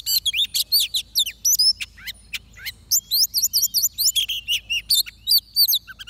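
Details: Oriental magpie-robin singing during trapping, a rapid, continuous series of loud whistled and slurred notes, many repeated in quick rhythmic runs.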